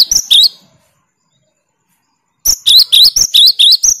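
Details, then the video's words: Three sharp whistled notes, a two-second pause, then a rapid run of about nine piercing notes from a cinereous tit singing its 'tembakan' song to challenge rivals. "Tembakan burung Gelatik Batu paling joss melatih mental lawan"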